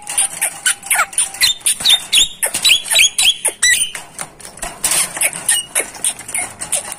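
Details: Tutor recording of Javan myna song for training kept birds, a busy stream of rapid squeaky chips, short rising and falling whistles and rasping notes, almost continuous throughout.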